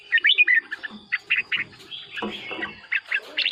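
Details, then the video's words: Bulbul chatter meant to rouse caged red-whiskered bulbuls: quick, scratchy, repeated chirps about four per second, mixed with rustling and low rough noise in the middle. "เสียงนกกรงหัวจุก สำหรับต่อ หรือ เปิดให้นกคึก เสียงเพราะๆ"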